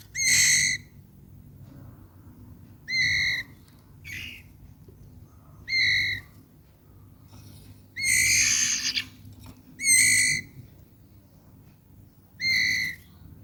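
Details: Red-eyed albino white-rumped shama repeating short, rich whistled notes about every two to three seconds, with a longer, fuller phrase near the middle and quiet background hum.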